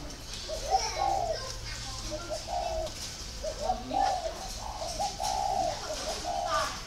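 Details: Spotted dove at a breeding garden in Ba Vì, Hanoi, Vietnam, cooing in low mellow phrases amid sharp chirps from other birds and faint human voices.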